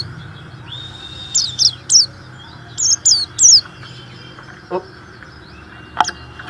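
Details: Warbling white-eye singing to stimulate other white-eyes: two short bursts of high, sharp slurred chirps, then quiet, with a couple of faint clicks near the end.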